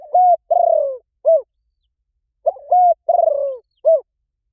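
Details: Spotted dove giving repeated gáy gọi rút bổi coos, meant to make others coo back at once: two phrases about two and a half seconds apart, each a level hoot, a long burry descending coo and a short end note.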